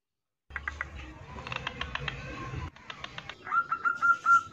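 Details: A female zebra dove in breeding condition, calling to males and used to lure wild males, gives a run of soft, rapid, level coos that swell in loudness at the end, after a stretch of sharp clicks and chirps.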